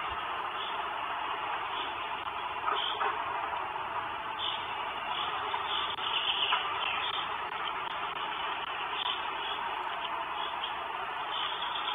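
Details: Steady broadband traffic-like rumble and hiss with no distinct animal calls standing out.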